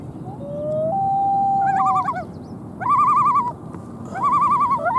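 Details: Common loon on Lake Massabesic, New Hampshire, where twin chicks 2-8 days old were filmed from a kayak. A drawn-out rising tone is followed by wavering, quavering tremolo phrases, against a low background hum.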